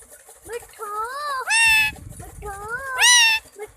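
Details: Green ringneck parakeet, a pet talking parrot, speaking 'main mithu' in Urdu/Hindi: high, nasal word-like phrases with arching tones, broken by two loud harsh squawks.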